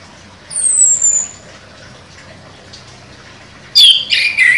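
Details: Chestnut-capped thrush contest champion with sharp 'nembak' song: one thin, very high whistle slurring downward, a long pause, then a loud cluster of harsh, scratchy notes with a squeaky whistled phrase.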